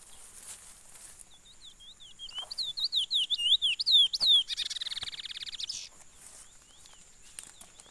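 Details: Chestnut-bellied seed finch (Sporophila angolensis) singing a fast run of clear, slurred whistles that ends in a rapid buzzy trill, with a steady high hiss in the background.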